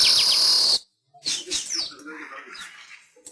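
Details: Weaver song from a master recording used to train pet weavers: an intense buzzy, sizzling hiss for nearly a second, then a pause and a run of softer, scratchy chattering notes.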